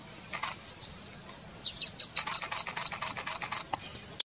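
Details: Fiery topaz singing: faint scattered high ticks, then a quick series of about nine sharp, very high-pitched tick notes, roughly five per second, followed by a few softer ticks and a final abrupt click, over steady background hiss.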